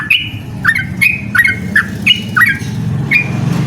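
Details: Yellow-vented bulbul challenging a rival with short liquid whistled notes roughly every half second, over steady low traffic-like rumble.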